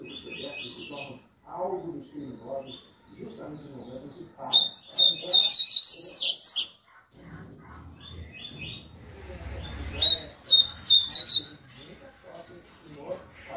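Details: Coleiro, the Double-collared seedeater, in tui-tui warm-up singing: repeated high whistled notes, fast chirps and buzzy rolls in phrases, over background music and talking.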